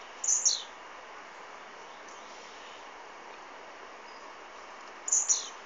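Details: Blue-black grassquit recorded on an Android phone, singing its brief high buzzy two-note phrase twice, about five seconds apart, with a falling end to each, over steady hiss.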